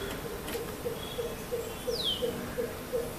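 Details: Greater coucal (Centropus sinensis) in Goa, February 2018, giving a steady series of deep, hollow hoots, about three per second; a thin descending whistle from another bird cuts in once.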